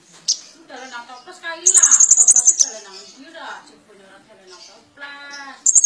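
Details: Kolibri ninja sunbird swaying in vigorous song full of borrowed phrases; a long high rapid trill in the middle, framed by lower warbled, wavering notes and a buzzy stacked phrase.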